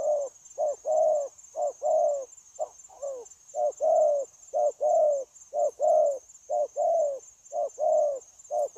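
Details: Wild-caught spotted dove held in a cage as a trapping lure, recorded 9 January 2024 cooing 'gù' without pause: a run of low, mellow coos, short and long notes alternating about once a second, over a constant shrill insect drone.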